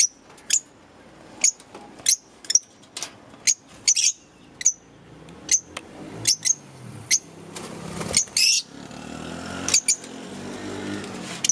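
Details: Green caged Fischer's lovebirds give sharp, high, squeaky chirps, single or in quick pairs, about every second, with faint clicks and soft room noise between.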